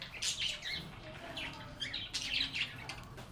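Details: A flock of budgerigars singing and chirping with one another: lively clusters of bright, warbling chirps, dense at the start and again past the midpoint, with a faint low background hum.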